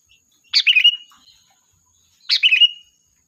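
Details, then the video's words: Sooty-headed bulbul used as a lure to call the flock: two short bursts of bright chattering notes sliding into a level whistled tail, about two seconds apart, with a faint steady high hum behind. "Suara Burung Kutilang Gacor, Pikat handal memanggil kawanan"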